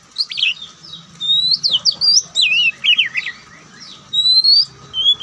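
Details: Oriental magpie-robin, white-breasted Kacer Poci, in a relaxed song: quick, twisting whistled phrases with warbling zigzags, then long steady high whistles, heard over a faint low hum.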